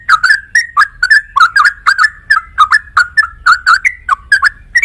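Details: Sooty-headed bulbul song: a rapid run of short, liquid whistled notes with a slight buzzy edge, each rising or dipping, about three per second without pause, over a faint low hum.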